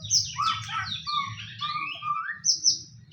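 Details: Lure song of a white-rumped shama meant to set other shamas singing: sweeping high whistles sliding down into lower fluting notes, ending with a sharp high whistle, over a soft low rumble.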